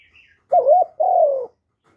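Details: Spotted dove from Vietnam cooing, recorded up close without background noise: one two-part phrase, a short wavering coo followed by a longer, steadily falling coo, with a faint high chirp just before.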